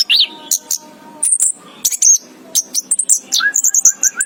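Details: Lively chirping from an orange-headed thrush: a rapid run of sharp, very high tweets and short whistles, some rising and falling, packed closely together, with soft repeated lower notes near the end.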